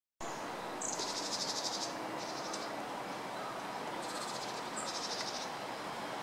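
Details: Japanese waxwings (Bombycilla japonica), recorded 28 February 2014, give very high, thin, trilled calls in short bursts, several overlapping, over a steady background hiss.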